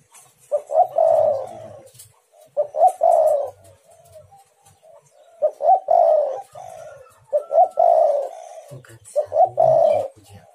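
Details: Spotted dove calling to lure and provoke other doves: a run of five low cooing phrases, each two short notes and a longer coo, spaced about two seconds apart, with faint low rumbling beneath.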